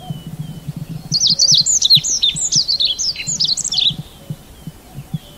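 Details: Red avadavat delivering a single three-second run of about fifteen quick, high, sweeping chirps that rise and fall, with soft low rumbling underneath.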